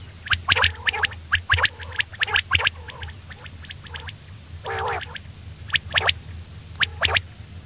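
A female common quail gives irregular bursts of harsh, raspy clicks and gurgling notes, about one a second, over a low steady hum.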